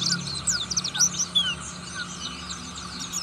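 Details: A fruit-eating buxtoni Oriental white-eye singing ngriwik: loud clustered high twitters and slurred squeaks in the first second and a half, then softer, sparser chirping over a steady low hum.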